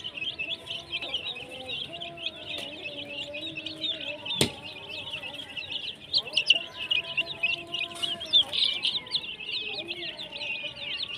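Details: Many colourful baby chickens chirping in a busy, unbroken chorus of shrill peeps, with faint lower tones and a couple of sharp knocks mixed in.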